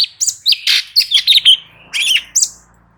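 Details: Light-vented bulbul singing vigorously as training audio for other birds: tumbling series of whistled and chattering notes, some slurred downward, ending in a rising whistle.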